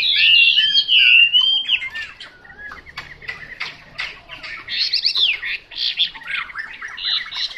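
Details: Chinese hwamei opening with a loud, looping whistled phrase, then breaking into choppy clicks and chattering notes before returning to bright, varied whistles.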